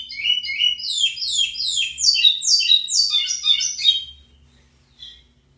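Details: Lined seedeater, known locally as pico plat, singing strongly: a fast run of bright, descending buzzy slurred notes in overlapping layers for about four seconds, then a brief faint note after a pause.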